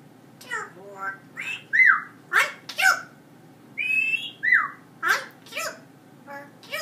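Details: Pet parrot indoors, loud and busy, alternating clipped speech-like syllables with whistled, rising-then-falling squawks, about two utterances a second, talking to the dogs.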